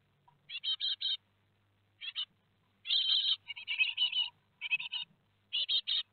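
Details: Young great tits, four fledglings leaving the nest on 17 July 2020 in Théding, give harsh, buzzy, hissing chirps in quick clusters of two to four, bursts about once a second, over a faint low hum.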